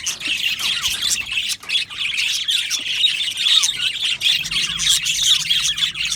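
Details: Colony of budgerigars kept in an aviary, constant high-pitched chirping chorus with repeated quick falling whistle notes and harsher squawks mixed in.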